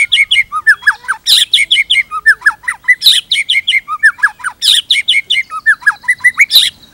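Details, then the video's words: Energetic song of a caged white-rumped shama: fast runs of whistled slurs and high chips, repeated in similar patterns for seven seconds with brief harsh bursts between phrases. "PANCINGAN GACOR !! MATERI mewah cocok untuk masteran semua jenis murai | shama bird"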